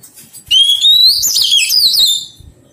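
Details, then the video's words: A single powerful phrase from a newly caught Oriental magpie-robin being tamed: a long clear whistle gliding upward, then a rich, rapid warble of looping notes fading out. "Thuần hóa chòe than bổi"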